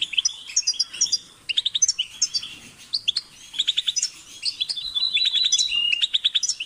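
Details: A European goldfinch sings a lively, liquid medley: quick clusters of high twittering notes, buzzy slurs and short trills that run almost continuously, with a brief lull about a third of the way through.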